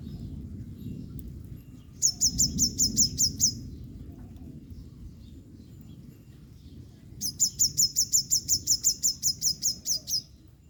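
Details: Female yellow-bellied sunbird drying off after heavy rain gives rapid runs of high, thin chirps: a short series of about eight notes, a pause, then a longer run of about fifteen, with low background rumble.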